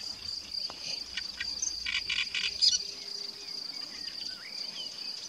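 A great reed warbler gives a short run of loud, harsh, grating notes, several quick croaks in a row, over a steady high insect drone.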